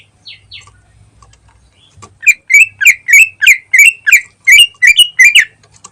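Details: Greater green leafbird, a caged cucak ijo used as a lure to set off other birds, singing in the rapid ngentrok style. After soft scattered chirps, a loud run of about twelve sharp, bright chirping notes follows in quick, slightly uneven succession.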